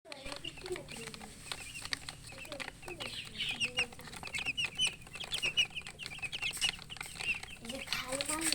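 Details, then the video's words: Baby chickens chirping from thirst for drinking water: many thin, high peeps overlap, growing denser after the first few seconds, over a steady low hum with faint murmuring voices. "Murgi chicks Chirping sounds with thirst for drink water"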